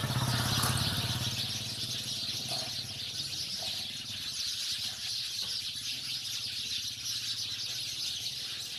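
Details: A flock of house sparrows keeps up constant busy chirping, short sharp notes tumbling over one another; a faint low hum, perhaps a vehicle, runs beneath the chorus.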